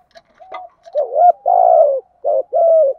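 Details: Spotted dove used as a decoy to entice wild doves. Soft clicks come first, then two cooing phrases, each a short dipping note followed by a sustained mellow coo.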